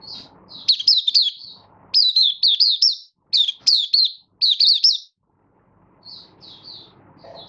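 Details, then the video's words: Malaysian Oriental white-eye kept caged, minor moult, building form, 24 August 2023. Several energetic bursts of quick, zigzagging high whistles follow one another, ending with softer chirps as a low rumble returns. "Malaysian Mata Puteh Buka Sing"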